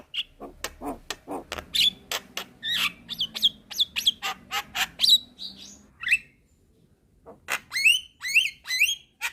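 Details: Black-winged myna, white-eyed, nodding cage bird singing for training use: a fast train of sharp clicks and short whistled chirps, a brief pause, then a run of squeaky rising whistles, very clean and high.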